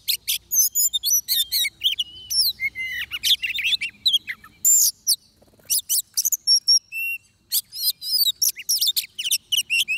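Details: Oriental magpie-robin recorded while being trapped with a decoy bird: long run of rapid varied whistled phrases and harsh bursts, with clear long pure whistles near the middle.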